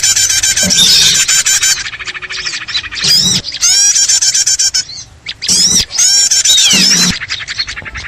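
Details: Noisy small-bird lure: a fast buzzy rattle of rapid repeated notes, then loud bursts of steep whistled chirps separated by quieter gaps, with a brief low hum.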